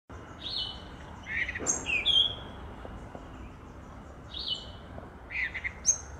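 Cape robin-chat singing short, clear whistled phrases that slide and warble at a fairly high pitch, a similar phrase returning after about four seconds, over a steady background hiss.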